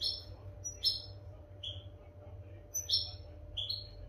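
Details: European goldfinch song used as tutor audio for training captive goldfinches: sparse, bright, high chirps and short slurred notes at irregular intervals, over a low steady hum.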